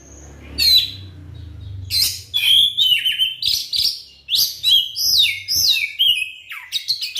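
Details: White-rumped shama song used as a lure to make other shamas sing: a faint whistle, then continuous loud phrases of rising and falling whistles mixed with harsh chatter; low hum at the start.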